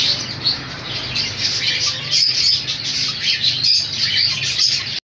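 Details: Pair of rose-ringed parakeets, known as ring naik parrots, making a continuous, harsh, high chattering and screeching, a dense stream of overlapping calls throughout.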